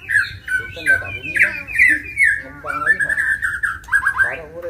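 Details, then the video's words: White-rumped shama in a fight, provoked into agitated singing: loud, varied whistled phrases with rich slurred notes, some sliding up and others falling, delivered in rapid bursts with brief pauses between them. "MURAI BATU TARUNG || PANCINGAN MURAI BATU EMOSI IKUT GACOR DAN FIGHTER"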